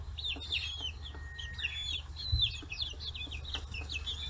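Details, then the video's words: Young 40-day-old chickens swarming fish heads on a free-range farm in Hiroshima Prefecture, Japan, giving rapid, overlapping bright chirps and short whistles, about a dozen notes, above a low background drone. "生後40日 魚頭に群がる中雛！chicks chirping sounds"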